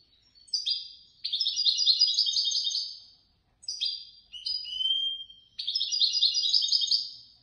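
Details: European goldfinch that placed third in a bird-lovers' song competition, singing bright, tinkling twitters and rapid liquid trills in two long phrases, high-pitched and fast; no other sounds.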